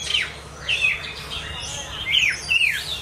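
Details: Brief snatch of Chinese hwamei song: a few loud whistled notes sliding downward, given in pairs with short pauses between.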